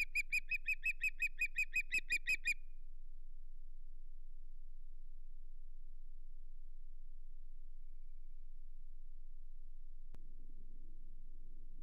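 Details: Osprey at the Hog Island nest, 8 May 2023, during an unsuccessful fish delivery. A quick series of about a dozen evenly spaced, piercing chirps is followed by quiet, with a brief rustle near the end.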